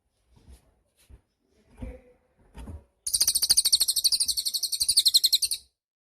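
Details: Cililin bird, recorded as training material for songbirds: soft low taps, then a sustained, high, rapid trill of buzzy pulses lasting over two and a half seconds.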